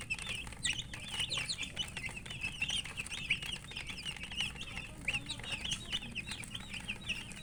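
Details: Chicks eating and peeping constantly, many thin high chirps with wavy, slurred shapes packed closely together, accompanied by soft tapping and a low hum.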